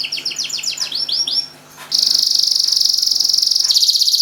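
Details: A canary from Semarang sings to draw silent canaries into song: a run of rapid descending whistled notes, a short pause, then a long, loud, even high-pitched rattling trill lasting over two seconds.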